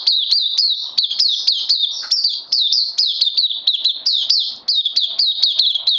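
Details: Caged oriental white-eye recorded 31 May 2020 on its second day of health supplements, pouring out fast, bright, high-pitched chirping notes, each flicking down, repeated steadily around four times a second without a break.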